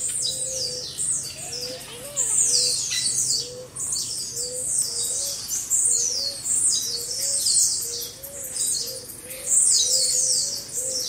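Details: Group of blue-black grassquits, recorded for training caged birds, singing overlapping high, buzzy, sharply descending phrases in a dense continuous chorus, with a soft low cooing note repeated steadily in the background.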